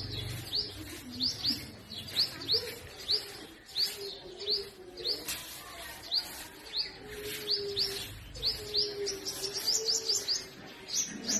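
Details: Sunbird at its hanging nest while feeding and guarding its young gives high, thin chips repeated about twice a second, with rapid trilled bursts near the end; a low hum runs underneath.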